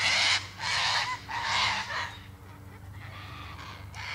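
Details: Three quick raspy cockatoo screeches ring out in the first two seconds, then fainter squawks follow over a low hum.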